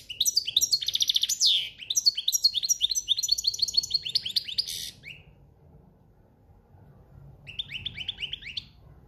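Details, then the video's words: Campero-style song of a European goldfinch in breeding season, fast liquid twitters and short trilled buzzes, loud for about five seconds, then a quieter burst of repeated chips near the end. "Jilguero cantando ** cante campero**"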